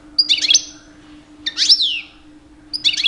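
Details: Two-year-old European goldfinch in mating season, singing to attract females: three short clusters of sharp, slurred chirps with falling sweeps, about one burst per second, over a soft steady hum.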